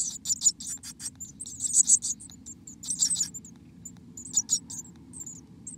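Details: Black-capped chickadee calls from inside the nest in America: clusters of piercing, hissing high notes come in uneven bursts roughly every second, with a soft low rumble underneath.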